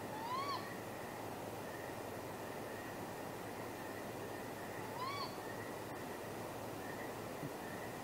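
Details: Great grey owls courting at a nest at midnight, 23 April 2019, possibly mating, heard off camera; two short rising whistled notes about five seconds apart, with softer high faint tones between them over a steady hiss.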